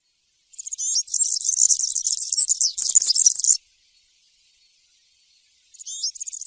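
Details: European serin singing in the 'campero' field style, used to tutor young serins during moult: a rapid, buzzy, jingling high-pitched trill lasting about three seconds, then a pause and a fresh burst of sharp, glassy notes.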